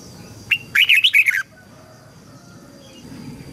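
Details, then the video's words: Red-whiskered bulbul voice training, meant to help young white-cheeked birds pick up the song and prompt newly caught birds to sing. A single clear note, then a brisk burst of bubbling, warbled notes lasting about half a second. "Chào mào luyện giọng giúp má trắng học giọng hiệu quả, kích chim bổi nhanh hót và căng lửa"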